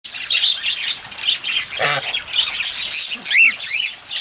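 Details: Cockatiels bathing in the rain chatter with bright chirps and short rising whistles, several birds calling over one another, with a brief harsher squawk near the end.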